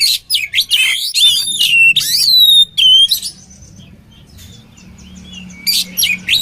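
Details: Oriental magpie-robin combination song used to train other magpie-robins: bursts of loud whistled and buzzy notes over the first three seconds, a quiet pause, then brief sharp chips near the end.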